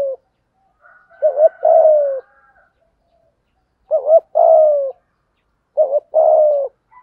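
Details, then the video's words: Spotted dove used as a lure bird, performing full 'thúc gù' cooing in a 'thổ' voice. Three low phrases come roughly every two seconds, each a quick double note and a long descending coo, with faint higher notes early on. "chim cu mồi thúc gù đủ bài"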